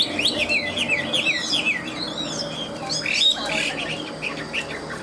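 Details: Caged ngũ trường Chinese hwamei in full high song: rolling, wavering whistled phrases followed by sharp, ringing notes and short chattered bursts, loud and continuous.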